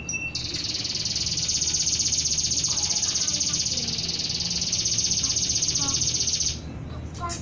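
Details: Canary singing a long roll in a style imitating a trucuk (bulbul): a continuous high, even trill held for about six seconds without a break, then stopping, over steady background hiss.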